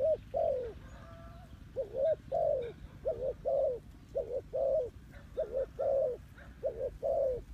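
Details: Clean spotted dove call used to lure birds when trapping: a steady run of about a dozen low, mellow coos in paired phrases, each note swelling then dropping, with faint higher chirps behind.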